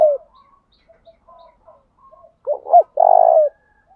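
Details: Spotted dove lure call meant to provoke singing: soft distant coos early, then a loud two-part rolling coo followed by a long vibrating held note.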